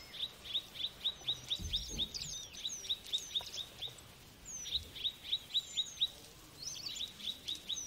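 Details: Song of Mrs. Gould's sunbird: quiet, evenly spaced high chips in a rapid steady series, a brief pause, then another run, with faint thin slurred whistles overhead.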